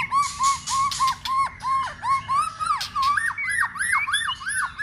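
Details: Contest-trained white-rumped shama, stirred up and clicking continuously, repeats arched whistled notes about three times a second. Loud dry snaps punctuate the run, which ends in faster rising, swooping whistles.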